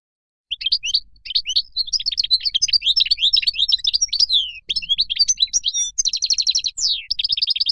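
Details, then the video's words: A European goldfinch of Moroccan type sings continuously for seven seconds: dense, tumbling twitters and sweet slurred notes, a rapid rattling trill near the end, then a sharp downslurred note. "تغريد مقنين مغربي"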